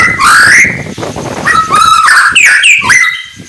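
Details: White-rumped shama singing in the morning, used to provoke rival birds: loud, rich whistled phrases, some sliding upward, others broken into rapid repeated notes, delivered in quick succession at close range.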